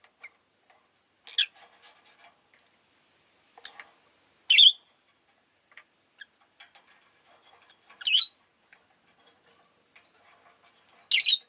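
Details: Pet rosy-faced lovebirds, several kept together and calling fairly often that day; three loud, harsh, high chirps spaced about three to four seconds apart, with faint softer chatter and clicks between them.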